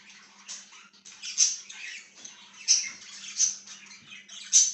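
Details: Chirping budgerigar, 1/6/2023: rapid raspy warbling broken by sharp squeaky peaks roughly every second, above a quiet steady hum.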